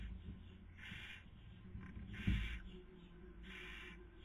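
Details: Barn owls at a nest during the 2020 breeding season in Cabañeros National Park, Castilla-La Mancha, Spain, the female feeding while the male tries to sleep; three harsh, breathy hissing bursts spaced about 1.3 seconds apart over low rumble.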